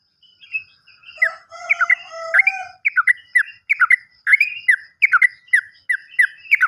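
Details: Sooty-headed bulbul recorded as a lure for birds that no longer sing: starts with layered chatter and a low drawn tone, then settles into fast, regular downslurred chirps that carry through to the end.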